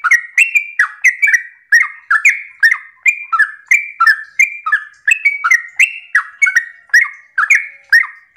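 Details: Sooty-headed bulbul delivering long, continuous 'ropel' song in the morning, used to lure other bulbuls into singing. Around twenty bright, bubbly phrases run back to back with no break, each opening with a sharp flick and ending in a brief whistle.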